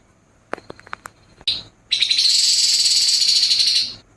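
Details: Grey-headed babbler in a harsh 'nembak kasar' song style: a few sharp clicking notes, a brief buzzy burst, then a long dense, grating, high-pitched rattle lasting about two seconds.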